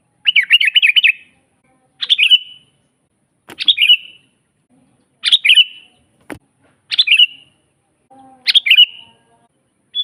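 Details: Sooty-headed bulbul singing, used as a master recording to train birds: opens with a fast trilled warble, then five short bubbly whistled phrases at roughly one-and-a-half-second intervals, with one sharp click in between.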